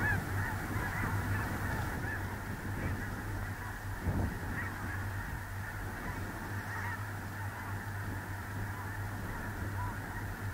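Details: Early November 2021 on a small lake in central North Dakota, a big snow goose flock keeps up a busy babble of overlapping honks, loudest in the first seconds, over a constant low drone.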